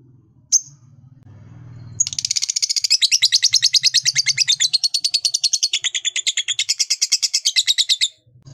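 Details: Pet lovebird singing a long, fast trill to stir other lovebirds to sing: a rapid chatter of high notes running continuously for about six seconds after a single opening chirp.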